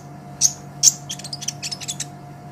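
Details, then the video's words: Training recording of a sunbird: two sharp, very high chips, then a fast jumble of thin twittering notes, over soft steady hum. "Suara Kolibri Ninja KONIN GACOR Untuk Masteran Kicau ! Konin Ijoan Gacor"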